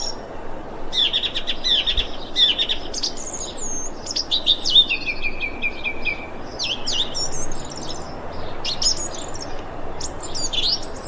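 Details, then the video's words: Thrush calling on 25 February 2021, a varied run of bright whistled phrases, trilled bursts and short stuttering notes, some held and falling, delivered in quick succession with brief pauses, over faint constant background noise. "Thrush bird calling"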